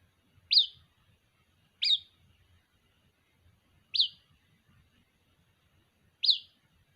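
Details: Chick of a white-breasted waterhen calling its mother: four high, thin, downward-sliding peeps at uneven intervals of one to two seconds, with light low background noise.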